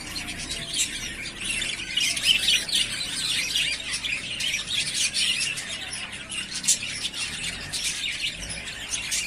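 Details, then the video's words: Busy flock chatter from three pairs of yellowface spangle budgerigars ready to breed: steady high-pitched chirping, squawks and warbles overlapping for the whole stretch, with sharp louder peaks scattered through. "Ready To Breed / Yellow Face Spangles / 3 Pairs"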